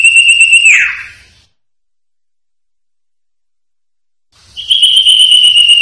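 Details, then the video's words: Sertu song of the Common Iora from a songbird training recording: a sustained pure whistle that drops away at its end, then after a silence another long, even whistle. "Masteran Suara Cipoh Sertu"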